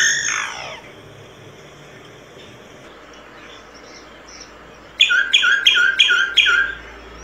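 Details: Solitary cacique singing: a loud downward-sweeping note opens, then a quiet gap, then a quick series of five harsh, squawky paired notes near the end.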